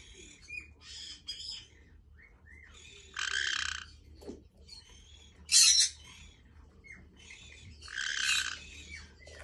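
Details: Pet white-bellied caique bathing in a large bath in Japan, on the third day of use, gives raspy noisy squawks of about half a second each, mixed with short thin whistled notes, over a low steady hum.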